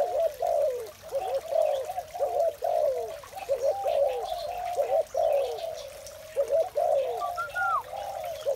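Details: Dense cooing of spotted doves on a morning, short low hooting phrases repeated in quick succession and overlapping, with a brief falling whistle near the end.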